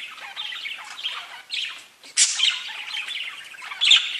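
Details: Parakeets chirping and talking together, showing they feel safe; soft warbling chatter dips briefly to near quiet, then resumes with a loud, piercing squeak and busy scratchy notes.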